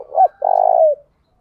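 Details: Spotted dove, a ground-dwelling dove used as a lure to provoke rival doves into calling, giving a single short call: a brief low looping coo followed by a longer steady vibrating hoot that falls slightly at the end.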